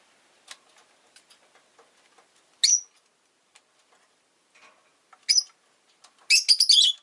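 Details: Caged rosy-faced lovebird with faint ticks and clicks, then single shrill chirps at about two and a half and five seconds before a rapid, harsh chattering burst at the end.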